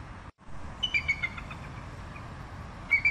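A bald eagle gives a quick series of four thin, high chirps, then two more after a pause, over steady background noise.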